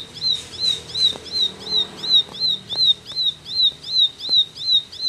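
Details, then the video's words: Rapid 'tembakan' song of a ciblek, a high clipped note with a short upward flick, delivered steadily nearly three times per second, with soft low rumble and occasional knocks behind. "Tembakan Ciblek Gacor"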